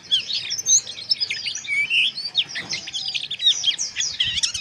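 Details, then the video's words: Harsh, scratchy chirping from a Mountain white-eye, used to raise breeding arousal: crowded high twitters and buzzy notes in a steady stream, with a soft low thump near the end. "Suara Pleci Ngeriwik Kasar 🔥 Terapi Pleci Ini Sangat Ampuh Bikin Menaikan Birahi"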